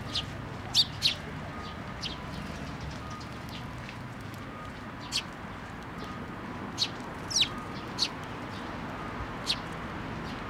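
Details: Juvenile sparrows flying to a post to be fed, Tenmangu shrine, 25 May 2024; scattered sharp high chirps every second or two, a few in quick pairs, over soft low ambient noise.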